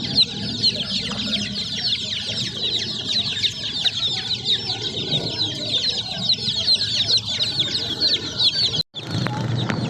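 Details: Baby chicks in a dense, continuous chorus of high, rapid peeps, overlapping chirps that barely pause, with a brief silent gap near the end before the peeping resumes.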